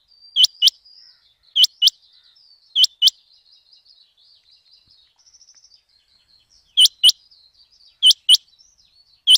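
A rain quail gives sharp, high double notes, 'whit-whit', repeated about every second, with a pause in the middle; faint twittering from other birds runs underneath.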